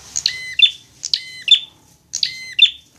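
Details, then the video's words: A prinia in fighting mode, tutoring sound for kept birds: three quick harsh double notes, bright and ringing, repeated about every half second. "masteran prenjak agar cepat gacor"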